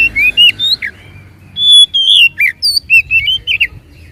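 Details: Song of the oriental magpie-robin, played to goad a silent bird into singing: a quick run of upslurred chirps, then a long clear whistle leading into a fast string of twisting, dropping and rising whistled notes.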